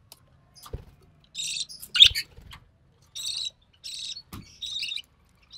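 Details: Recessive pied budgerigar chick born in early June 2020, being fed by its mother, an albino red-eye hen; a few short harsh rasping calls in separate bursts with pauses between them, plus light clicks and knocks.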